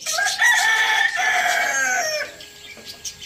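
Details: Rooster on a village farm, roosters feeding on tomatoes, gives one long, loud, harmonic crow lasting about two seconds, then trails off, leaving faint chirping of small birds behind.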